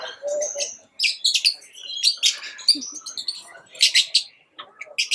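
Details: Chirping pet lovebirds: rapid strings of piercing high chirps and squeaks, several birds overlapping, with brief quiet gaps and one low squeak.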